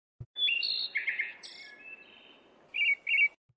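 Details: Wood thrush (Hylocichla mustelina) song: a flutelike phrase of clear notes sliding between pitches, then a pair of short trilled, ringing notes at the end.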